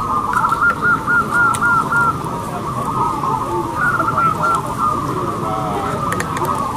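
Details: Local zebra doves singing at a competition: a clear run of about six rapid, mellow coos opens, then another burst near the middle, over a continuous chorus of other cooing birds and low noise.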